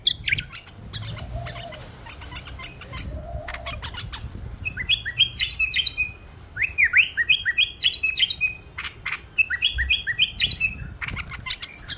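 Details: Pet bulbul. The opening seconds are mostly clicks and rustling, then bursts of quick whistled notes follow, rising and dipping in short repeated phrases, mixed with dry ticking sounds.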